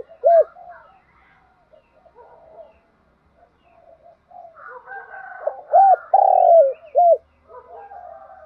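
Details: Spotted dove cooing, used to stimulate other doves to coo: soft scattered notes first, then one loud phrase of short hooting coos around a longer drawn-out coo, with faint chirps in the background.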